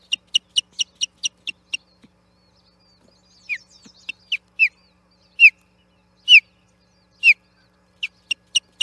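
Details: Nesting osprey at Charlo contesting Platform 1 with an intruding bird, 8 June 2021: a quick string of high piping chirps, a pause, then strong falling whistles about once a second and a closing run of chirps.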